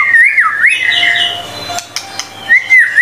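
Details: White-rumped shama, murai batu, singing for a tutor recording: slow, rich whistles that swoop up and down, a buzzy middle section, a pause with clicks, then another swooping whistle.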